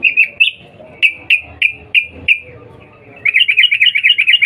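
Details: Sooty-headed bulbul lure call, a female summoning a male: a few spaced sharp chirps slurring downward, then a fast rattling string of wavering notes to the end.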